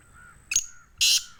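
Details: Black francolin from Sindh, Pakistan giving rasping, buzzy bursts, a short one then a longer harsh note and the start of another, with a thin whistled tone from another bird between them.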